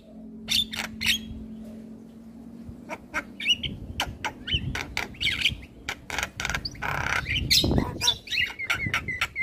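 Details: Male Black-winged starling in full song, used to train young starlings: harsh broadband squawks and clicks mixed with short whistled notes, loudest and densest toward the end, over a low steady hum.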